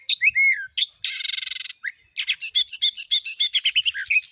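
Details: Oriental magpie-robin singing gacor nembak as a lure to make other magpie-robins sing: slurred whistles, a harsh buzzy rattle, then a rapid series of ringing repeated notes.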